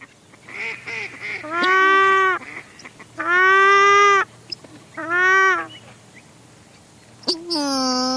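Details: Paradise shelduck pair calling close up, with a mallard in the background: loud, harsh, nasal honks in drawn-out bursts, some higher and squeakier, with softer duck sounds behind; exact recording date unknown.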